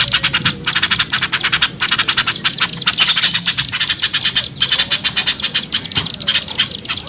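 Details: Small birds in a lure recording aimed at small birds that will not come down. Continuous busy chatter of rapid high ticks, with a faint low hum underneath throughout.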